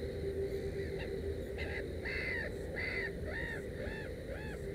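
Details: Black-headed gull beside its nest with three chicks, calling in a rapid series of about eight hoarse, arched, slightly descending notes that grow more even toward the end, with a low background rumble throughout.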